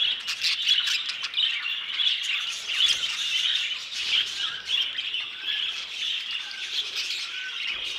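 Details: Budgerigars housed in an aviary, a dense mix of high warbled chatter, squawks and short whistles from several birds, fairly loud and unbroken throughout.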